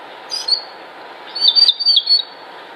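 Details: Northern mockingbird; song; males attracting females in the breeding season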